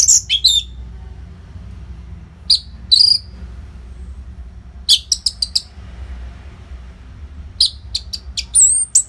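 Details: Orange-headed thrush singing nonstop as a training song for fighter birds: bursts of high, sharp chirps and whistled notes in clusters, with quiet gaps of about two seconds between phrases and a low hum beneath.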